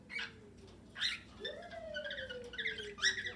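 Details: Cockatiels kept together with budgerigars in an aviary, attempting whistles: a long, smooth, low whistled note that swoops up and slowly glides down, over soft chirps.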